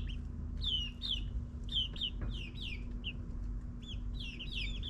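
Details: Nine-week-old backyard chickens in a suburban run: clear, shrill descending cheeps, often in pairs, recurring about every half second, with a faint low hum underneath.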